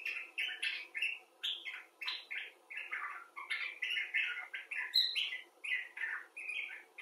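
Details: Expressive chatter from a common bulbul: rapid, evenly spaced slurred notes, each a short bright burst rising or falling, tumbling on without stopping for seven seconds.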